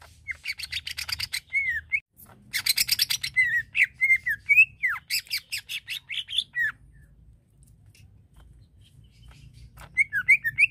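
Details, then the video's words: Greater green leafbird singing to provoke other leafbirds into aggression: bursts of harsh, buzzy chatter alternate with short slurred whistles rising and falling, delivered in rapid runs with a pause before a final whistled flourish. "Bikin Cucak ijo Lain Terpancing Emosinya"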